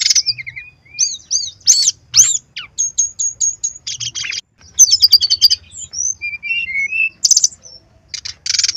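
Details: Brown-chested jungle flycatcher in continuous varied song, used to make birds sing: looping whistles, short repeated high notes, rapid trills and scattered falling slurs across a long phrase.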